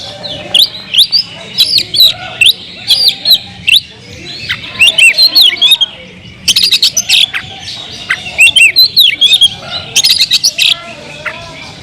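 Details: Oriental magpie-robin kept in a cage delivering a long medley of loud whistles, upward and downward slurs and raspy buzzing notes in quick succession, pausing briefly near the middle.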